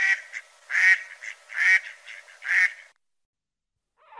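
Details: Duck quacking: four loud, harsh quacks about a second apart, each a short nasal burst, followed by silence and then a fainter sound at the end.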